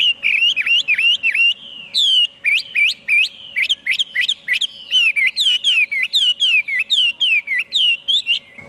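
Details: Chinese hwamei delivering a long series of loud, ringing whistles, each note slurring up then down, repeated quickly in varied bursts, with a faint constant hum behind.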